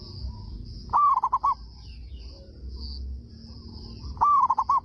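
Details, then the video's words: Local Indonesian zebra dove (perkutut) with a big voice, said to draw replies from other doves, gives two bursts of its soft, rolling cooing phrase, a quick stuttered series of notes, with a steady high insect-like hiss behind. "PERKUTUT LOKAL GACOR SUARA BESAR PEMANCING PERKUTUT LAIN PADA NYAUT"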